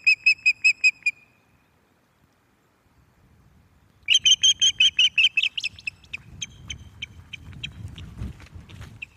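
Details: Osprey female at Loch of the Lowes nest, 11 May 2024, evening, with a visiting male: a brief run of five high whistled chirps, a pause, then a faster, more excited chirping series that fades into low rumbling background noise.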